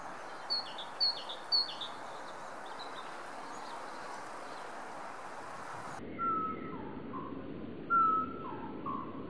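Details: A male great tit sings bright, repeated two-note phrases about every half second, then lower whistled notes, in early spring sunshine on 25 February 2014, over a steady rural background hiss.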